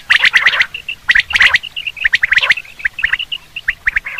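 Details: Common quail calls used for hunting: clusters of sharp, bright chirping notes in quick bursts about once a second, with shorter scattered chips between the bursts and no other clear sounds.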